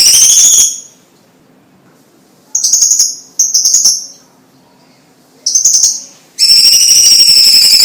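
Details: Chinese leafbird used as a tutor singer, delivering high whistled bursts separated by silent gaps: a brief phrase, two quick buzzy bursts, another short burst, then a sustained rich warbling passage.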